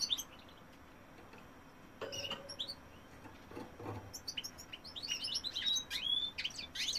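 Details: A male European goldfinch sings after faint scattered notes and a few soft knocks. In the second half a quickening sequence of high twittering chirps and slurred whistles builds.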